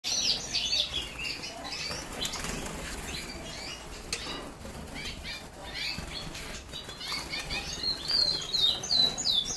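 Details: Agate red mosaic canaries recorded in 2009. High, quick twittering phrases open and close the passage, with softer chirps between. Wing flutters and light tapping and pattering sound throughout.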